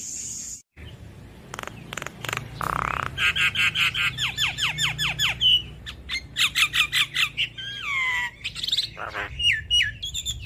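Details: Lively Javan myna used as a tutor recording for cage birds: harsh squawks, then a quick series of falling whistled slurs and scratchy notes, closing with looping whistles.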